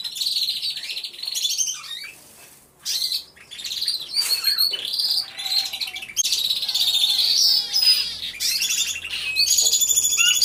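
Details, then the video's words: Hidden-camera recording of many canaries singing in an aviary: long stretches of buzzy high trills and chirps broken by a few short pauses, with a faint low hum later. "CANTO DE CANARIOS"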